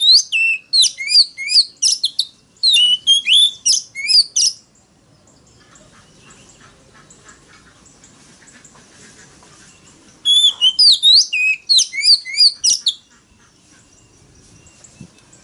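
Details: Loud wild-voiced Oriental magpie-robin song meant to lure and challenge rival males: two bursts of rapid, sharply slurred whistles and chips, several seconds each, separated by a long quiet gap with faint background noise.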